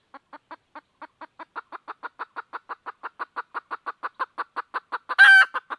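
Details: A red junglefowl hen calling for a rooster gives a steadily accelerating series of short clucks that grows louder. A single harsh squawk comes near the end, followed by a few more clucks.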